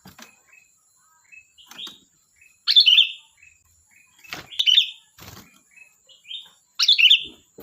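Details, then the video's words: Lively sooty-headed bulbul song: three rich, warbled bursts spaced about two seconds apart, separated by quiet short chirps and a few clicks, over a thin constant high tone. "Suara burung Kutilang Gacor || Ocehan Kutilang"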